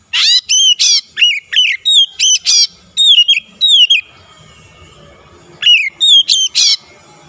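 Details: Rival-provoking lure song of an oriental magpie-robin: a brisk series of strong whistled notes with harsh buzzy accents, a quiet stretch in the middle, then a few more loud whistles.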